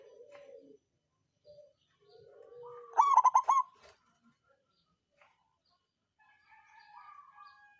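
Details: Songgo ratu local zebra dove giving a lure song to provoke other birds to sing: one loud phrase of quick, rolling coos midway, amid softer low coos and thin warbling from other birds.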